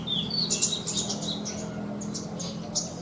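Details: Horsfield's bush lark (branjangan), caged for bird contests, gives high thin whistles and crisp repeated chirps, about four per second at times, over a quiet low hum.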